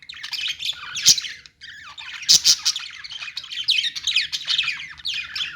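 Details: Budgerigars in a pet store: a dense flock chatter of warbling, scratchy chirps with sharp squawk bursts near one and two and a half seconds and a brief quiet gap.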